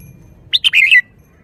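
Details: Red-whiskered bulbul kept in a cage, performing the song style called 'shaking the bottle': a brief burst of clipped notes running into a rolling, slurred whistle, with quiet low hum behind.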